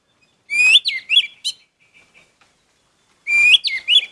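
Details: Orange-headed thrush repeating the same phrase twice: an upswept clear whistle followed by two or three quick slurred notes, a pause with faint soft notes between, then the phrase again.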